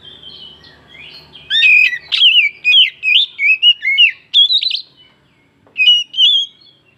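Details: Oriental magpie-robin (kacer) song used as a lure to rouse other birds into singing: loud, clear whistled phrases with rising and falling slurs, after a quiet start, a rapid run of varied notes and a short closing burst.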